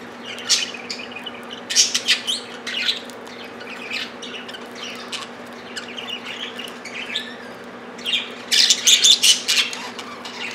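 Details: Several pet budgerigars squabbling while fed millet held by hand, peaceful except around food. They make bursts of high, scratchy chirps and squawks in rapid chattering runs, loudest at the start and near the end, with quieter chatter between.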